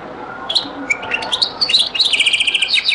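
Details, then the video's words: Goldfinch song in the Algerian Beni Messous zaboka ('les avocats') style from an old recording: scattered sharp chirps build into a fast, even, rattling trill of buzzy repeated notes. "تغريد - تسجيلة جد قديمة بني مسوس ليزافوكا | chant beni Messous les avocats zaboka"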